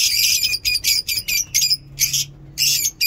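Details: Lovebirds singing in a mini zoo in the morning: loud, harsh, high squawking notes repeated rapidly, about two per second, each raspy and slightly buzzy.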